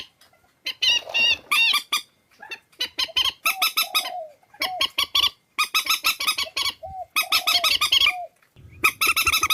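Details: Purple swamphen from Vietnam, in a compiled decoy track used to lure birds: bursts of loud, harsh, harmonic honking notes in rapid series, broken by short gaps and a few lower, softer slurred notes.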